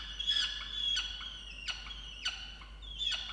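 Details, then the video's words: Peregrine falcon at a water-tower nest box in Orange, New South Wales, Australia, on 8 November 2022, angrily calling at its mate for not bringing breakfast: five harsh, nasal wails, each ending in a falling sweep, about one every 0.7 seconds. "Indigo angry on Dimaond for not bringing breakfast"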